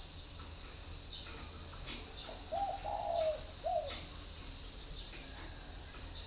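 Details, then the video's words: Caged spotted dove in Ba Vì, Hanoi, Vietnam, heard on a morning recording: one low coo phrase of short, long, then short notes, the middle one drawn out and gently falling. A constant high insect drone runs underneath. "nghe em này gáy"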